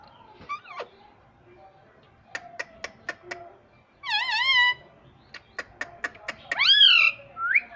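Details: Pet parrot, said to talk in Hindi saying mummy: scattered clicks and taps, then a wavering harmonic cry, more clicks, and a loud rising-falling squawk followed by a short upward note.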